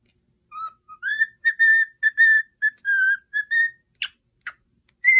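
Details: Cockatiel whistling a tune meant to train a pet cockatiel to sing: a run of clear, pure whistled notes, some short and some held, rising then level, followed by a few sharp clicks.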